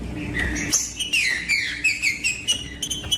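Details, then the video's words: Green-winged saltator song used to warm up other birds: a quick string of bright, slightly falling whistled notes repeated in rhythm, with a low background hum. "MELHOR TRINCA FERRO PARA ESQUENTAR TRINCA FERRO COM TRINCA FERRO CANTANDO"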